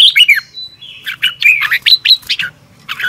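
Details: Red-whiskered bulbul singing in the morning as a training bird: slurred, buzzy-edged whistled notes in a quick, uneven sequence, some sliding sharply up and down.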